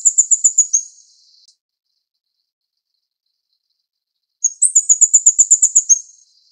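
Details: Plain flowerpecker (Dicaeum concolor uchidai) in Taiwan, feeding chicks: very high, thin ticking notes in rapid series of about ten, two bursts separated by three seconds of silence, faint high hiss between.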